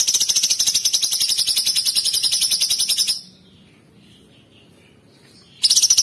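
A Sooty-headed Bulbul gives a rapid, very high, sharp trill of fast repeated notes for about three seconds, falls silent, then starts again.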